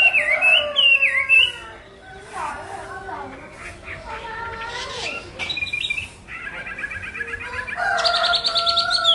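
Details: Chinese hwamei song in varied bursts: slurred whistles at first, then quieter broken phrases, ending with fast buzzy, trilled notes.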